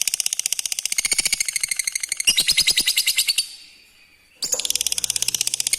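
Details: Lovebird lure call, used to spur other lovebirds, including untrained ones, into responding and calling. Rapid, harsh, high-pitched chattering notes in fast runs, louder after two seconds, broken by a short near-silent gap before the chatter abruptly resumes.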